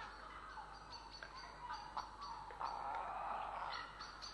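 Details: Grey herons in Estonia, 3 April 2017, produce a dense, rapid chatter of rough calls in quick succession, several birds overlapping and growing louder toward the end.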